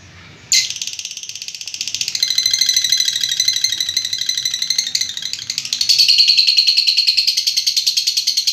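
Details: Lovebird giving a long ngekek trill: after half a second of quiet, a sudden high, rapid chattering pulse train starts and runs unbroken to the end, slightly louder and sharper in its final seconds.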